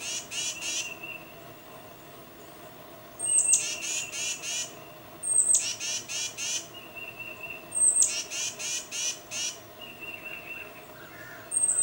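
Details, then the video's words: Tufted titmouse calls to its mate with a high thin note and a run of four or five harsh, buzzy notes, repeated every two seconds or so. "Tufted Titmouse Calling Its Mate"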